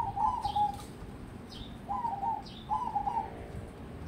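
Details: Caged crossbred zebra dove, a prospect for singing contests, utters three rolling, staccato coo phrases. Each phrase is led by a faint, high, downslurred note, and the background is steady and quiet.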